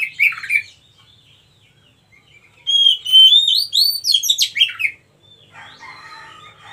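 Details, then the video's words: Song of a wild magpie-robin, the white-breasted kacer: a short chirp, silence, then a loud phrase of steady and upswept whistles breaking into fast scratchy notes. A softer buzzy warble closes the phrase. "KACER MACET TOTAL dan SETRES pasti akan PULIH dan NYAUT dengan dimasteri KACER ALAM ini"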